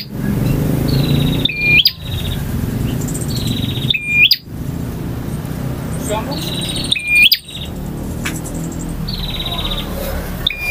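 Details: Male bar-winged prinia singing its varied song: short high whistled phrases with upward flicks and buzzy trills, spaced a few seconds apart over a continuous low murmur of background noise.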